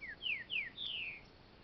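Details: A captive green-winged saltator (male) in a plain training cage sings a quick phrase of four clear, downslurred whistles, the last longer and drawn out, against a quiet background.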